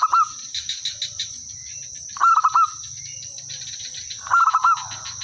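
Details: Village zebra dove, a local perkutut, singing steadily as a lure to draw answers from other birds: short bursts of four or five rapid cooing notes, repeated about every two seconds, over steady high insect-like buzzing and faint chirps.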